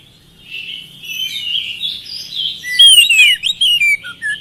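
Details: An oriental magpie-robin sings as a lure to make lazy birds answer. Soft muffled warbling builds slowly, then loud clear descending whistles and short bright chirps take over in the last second and a half.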